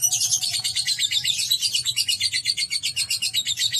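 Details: Kept lovebird delivering its 'ngekek' song, a fast, steady stream of sharp, high chattering notes, about four per second, even and unbroken throughout.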